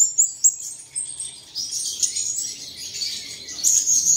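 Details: High, sibilant twittering song used to get caged birds singing early in the morning: a couple of sharp chirps, then a steady stream of thin, rapid notes ending in a bright whistled trill.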